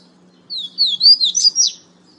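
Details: Clean pateta-style phrase of a coleiro (double-collared seedeater) recorded in Natal, Brazil: a swift chain of six looping, whistled high notes rising and falling, lasting about a second and a half, with near silence around it.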